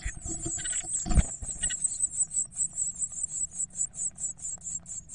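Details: Twelve Eurasian blue tit nestlings, now growing larger, give very high, thin, hissing begging calls to be fed, in a steady pulse of about four bursts a second, over a low rumble and one dull knock.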